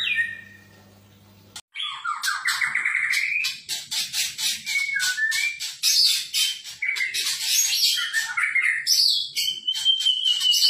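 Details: White-rumped shama in vigorous song: after a brief whistled start, a dense, nonstop stream of rapid warbles, trills, buzzy chatter and sliding whistles fills the clip.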